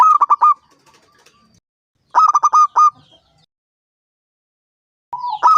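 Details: Five-year-old local zebra dove with a big voice, kept to coax other doves to sing: three phrases of rapid staccato coos ending on a drawn-out note, separated by gaps of two to three seconds.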